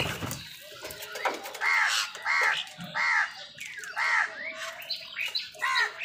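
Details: Crows squabbling with wild birds over food give a run of harsh, hoarse caws, each an arched note repeated roughly every half second, with softer chatter from other birds underneath.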